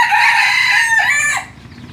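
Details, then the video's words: Chicken crowing: one long, loud harmonic crow about a second and a half long. It holds steady, then bends downward near the end before cutting off, with faint background afterward. "qaib qus qaib dib qua zoo heev cuab tuaj zoo"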